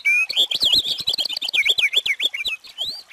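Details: Purple finch pouring out a continuous, rapid, rollicking warble of bouncing, slurred notes lasting about three seconds. It opens with a clear whistled note and changes pitch quickly throughout.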